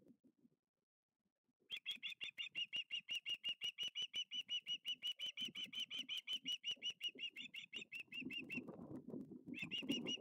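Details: Osprey chick begging at the Lipka nest, 6 August 2023, late afternoon, when a second fish is brought five minutes after the first. Rapid, even high chirps for six seconds, then low rumbling rustle, then the chirping starts again.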